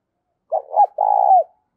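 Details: Spotted dove kept as a lure bird to provoke wild doves, cooing one clear phrase: a short note, a hooked note, then a long sustained coo that bends downward at the end, with silence around it.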